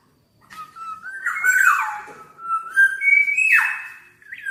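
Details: Black-naped oriole in full, energetic song (gacor): a long run of smooth, sliding whistled notes stepping up and down, interrupted twice by rasping, downward-bending squawks.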